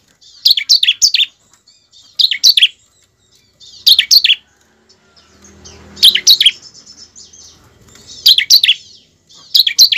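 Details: Recording of a bar-winged prinia used to coax caged birds into song: short phrases of two or three sharp, high chirps repeat roughly every one and a half to two seconds, with a soft low rumble near the middle.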